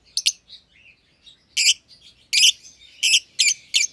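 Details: Euwing green opaline and albino lovebirds housed as a pair: a few quick sharp chirps, soft warbling notes, then a run of loud harsh screechy chirps close together.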